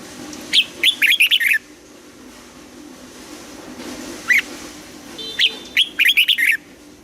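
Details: Red-whiskered bulbul in morning singing practice, double-note mature wild style: an opening phrase of rapid falling whistled notes, one lone note, then a second similar phrase of about seven bright notes.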